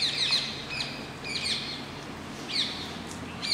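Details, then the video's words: Rose-ringed parakeets at Masab Tank, Hyderabad, India: shrill, screechy high calls repeated at irregular intervals over a steady low urban hum. "Indian ringneck parakeets - Masab tank Hyderabad"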